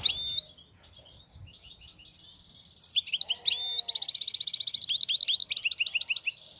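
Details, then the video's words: Flawless song of a wild European goldfinch: scattered high twittering phrases build into a fast, rattling trill of sharp repeated notes, followed by lively chirps, with faint low background rumble. "حسون خلوي خالي من الأخطاء"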